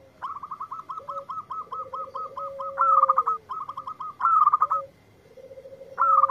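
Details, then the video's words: Indonesian local zebra dove, answering a lure recording. Long string of evenly spaced hooked notes at a higher pitch, punctuated by louder emphatic bursts, while lower purring coos roll alongside. "Perkutut Lokal Gacor yang ND4blek langsung nyaut"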